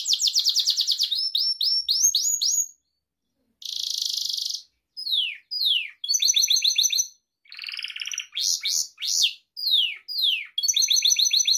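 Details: Gloster canary, a pet breed, singing for the training of other canaries: rapid high trills, fast rising chip series and a dense buzzy burst, separated by short silent gaps.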